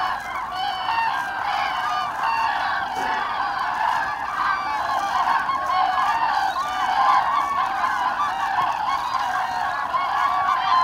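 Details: Large flock of common cranes flying over Hesse, Germany, during autumn migration on 25 October 2021: a loud, unbroken wall of trumpeting calls from many birds, growing slightly louder toward the end.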